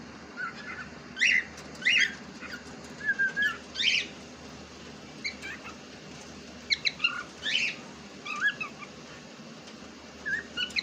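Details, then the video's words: Pet cockatiel, said to be talking in Urdu, giving scattered short bright chirps and squeaky whistled notes in uneven bursts over about eleven seconds, with a faint steady hum behind. "Cocktail Parrot Ne Kya Bol Diya"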